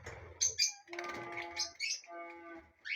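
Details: Lovebirds in a colony chirping, with sharp high squeaky chirps mixed with sustained harmonic, buzzy notes, overlapping and busy throughout the short stretch.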